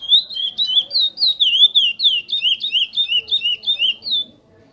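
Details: Curió, or chestnut-bellied seed finch, giving praia-style song: rapid sequence of loud, clean whistled slurs, rising and falling, about three notes a second, ending after four seconds in quiet.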